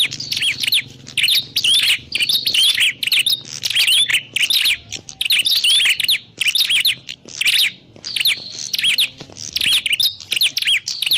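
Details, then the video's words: Prinia calling, recorded as a trapping lure: a fast, busy run of shrill chirps in short bursts, one after another for about eleven seconds with brief gaps and a light low hum. "Suwara Burung Prenjak_klawu Buwat_Mikat"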